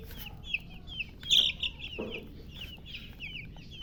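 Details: Chicks chirping: bright, high, downward-sliding peeps in a brisk run, one louder peep near the middle, and a short low thump halfway through.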